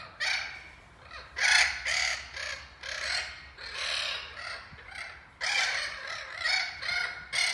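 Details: A group of Spix's macaws in a large flocking aviary, chosen for return to Brazil, give harsh, grating squawks in overlapping bursts, several birds calling at once with short pauses between.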